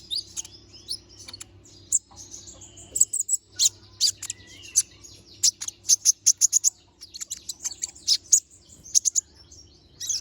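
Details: Energetic little spiderhunter (konin) pouring out dense strings of shrill chips mixed with short high whistles, near-continuous after the first few seconds.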